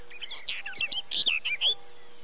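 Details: Barred warbler recorded with a Canon EOS 7D at Erdőhorváti, Tokaj, Hungary, in early May: a loud, harsh, hurried chattering phrase of squeaky and buzzy notes, about two seconds long.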